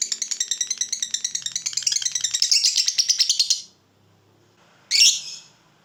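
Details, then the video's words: Lovebird ngekek, the long trilling chatter used as masteran for other lovebirds; a rapid harsh trill that speeds into a continuous rattle for nearly four seconds, stops, then one short shrill burst follows after a pause. "LOVEBIRD NGEKEK DURASI PANJANG"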